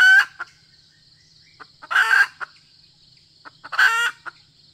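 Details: A female red junglefowl used as a decoy gives short, harsh, nasal bursts about every two seconds, with soft clucks between and a thin, steady insect whine behind.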